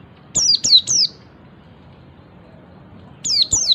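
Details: Oriental white-eye ngalas call meant to make other white-eyes call too: three fast descending whistles, silence, then two more.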